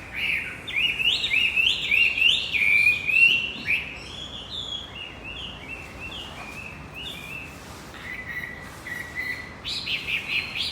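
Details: Sustained lure song of a Javan white-eye for a male that stopped singing: rapid stepped chirping notes in loud bursts, a softer run of twittering mid-way, then louder high notes again at the close.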